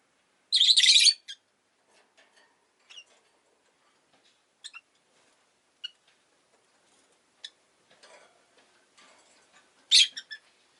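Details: A rosy-faced lovebird (Agapornis roseicollis) gives two loud, harsh, screechy chirps about nine seconds apart, with faint soft clicks and ticks in between, amid possible street noise.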